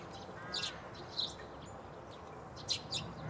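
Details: Eurasian tree sparrow, recorded at Bundek, Zagreb, Croatia on 9 March 2015; three short high chirps spaced about a second apart over quiet steady background noise.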